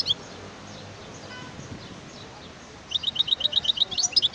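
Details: European goldfinch song: after a quiet, hissy start, a rapid run of about a dozen bright, sharp, evenly repeated high chirps begins near the end and keeps going until the clip stops.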